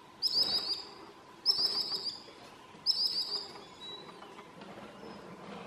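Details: A common sandpiper at midsummer in Southern Savonia, Finland, gives three shrill, high, rapid trilled bursts, about one every second and a half, over a low steady background rush.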